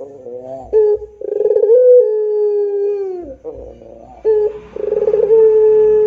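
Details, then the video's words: Barbary dove of the pelung type singing energetically: a wavering lead-in, a throbbing stutter and a long, slightly falling low coo lasting over a second, with the same pattern starting again. "SUARA PUTER PELUNG GACOR DOR !!! ISTIMEWA !!!"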